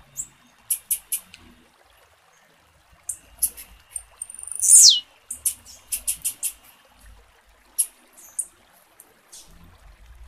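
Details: Female blue-black grassquit calling to stimulate a male to sing: scattered high, sharp chips, a loud piercing note gliding downward midway, then more quick chip runs and sparse single ticks.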